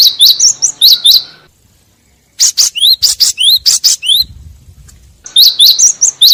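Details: Gelatik batu, the great tit, in a lure recording for catching birds: three bursts of rapid, high, upward-sliding chirps separated by short silent stretches.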